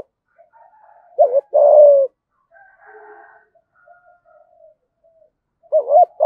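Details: Spotted dove kept as a decoy for luring wild birds, giving one coo phrase of a short wavering note and a drawn-out falling hoot, with faint distant cooing in the gaps and a new phrase starting at the end.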